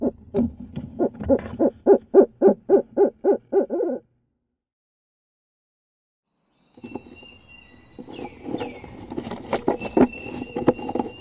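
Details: In eastern Massachusetts in mid-March, at night, a female Barred Owl at a nest box urges the male on during his nest visits with a rapid run of about a dozen hoarse hoots, then scratchy rustling and faint thin tones follow.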